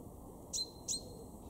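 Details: Garden-dwelling male chaffinch, Weener, East Frisia, Germany, March 2023, giving two quick bright metallic notes a third of a second apart, each a sharp downward flick ending in a brief steady tone.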